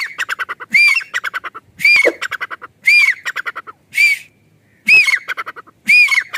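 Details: A grey francolin in a natural village setting calls loudly: quick runs of harsh clicking notes alternate with a ringing, grating squawk, the pattern repeating about once a second.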